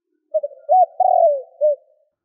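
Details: Spotted dove giving a kích bổi lure call meant to draw in wild doves: one low cooing phrase of two quick short notes, a rounded coo, a long drawn coo sliding downward, then a final short coo, over silence.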